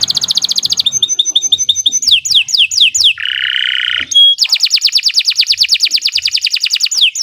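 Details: Canary in full, long-running song meant as a model for training other birds; quick high repeated notes, falling swept phrases, a flat buzzing section, then a long fast train of sharp descending notes.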